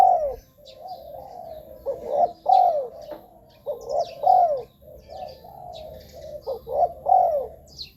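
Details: Lure calls of a spotted dove for catching wild doves: a busy string of soft coos and sharper, falling cooing notes running almost without pause, with light high-pitched chirping from other birds behind.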